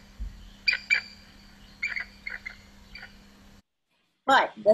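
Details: Bald Eagle calling with thin, high piping notes in short, chittering bursts, far from fierce and carrying well across water, its preferred habitat, over a steady low hum; a person starts talking at the end.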